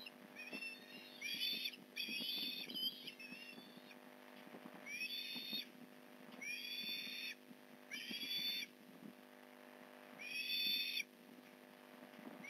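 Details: Osprey at the Port Lincoln nest during a morning fish delivery, November 2019: repeated high, harsh squealing notes about every one to two seconds, over constant low tapping and knocking sounds.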